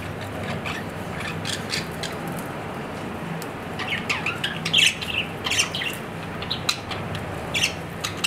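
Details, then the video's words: Budgerigar at home making soft scratchy chatter and a few louder squawking chirps in the second half, over a low hum. "My Australian parrot | Budgerigar"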